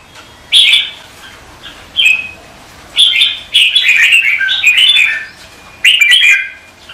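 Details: Competitive morning song from a red-whiskered bulbul: short whistled phrases separated by gaps of about a second, then a longer tumbling warble and a last brief phrase.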